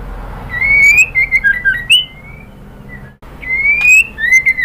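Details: A female White-rumped shama calls to a male: rising whistles broken into short warbled notes and sharp high clicks, a pause, then another rising whistled phrase.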